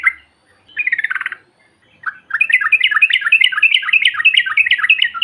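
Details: Yellow-vented bulbul calling, as played to provoke other birds: a brief note and a short buzzy trill, then a long, dense run of fast, jerky chattering notes that grows louder toward the end.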